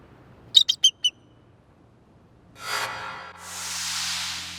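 A bald eagle gives four quick, thin, high chirps in a burst lasting about half a second, followed by a rush of broad noise like wind.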